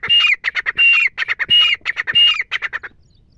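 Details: Wild female grey francolin, used as a hunting call. Loud harsh notes with a ringing whistled tone repeat in quick bursts of about one and a half per second for two and a half seconds, then stop.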